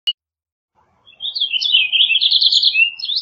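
A purple finch sings a rapid, warbling run of bright chirps that rise and fall quickly, lasting about two seconds after a brief click.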